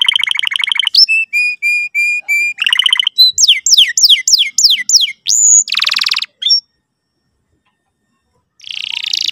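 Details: Canary singing as a lure for teaching a young canary to sing and trill: a buzzy trill, a row of steady whistled notes, fast descending sweeps, and a dense buzz, then a short pause before a final buzzy burst.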